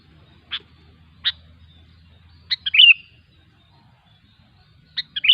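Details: Wild sooty-headed bulbul singing: two single sharp clicks, then a quick bubbly burst of chirps, and another short chattering phrase at the end, in a quiet background.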